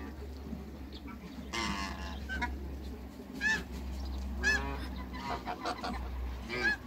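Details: Two African geese kept in a backyard among other waterbirds give loud, nasal honks with rising and falling pitch, spaced irregularly about once a second over a low background hum.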